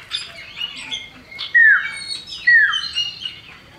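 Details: Common iora, male and female, played as a lure to get other birds singing; the female calls to the male. Two loud, clear whistles slide downward about a second apart, with faint chirps and higher notes around them.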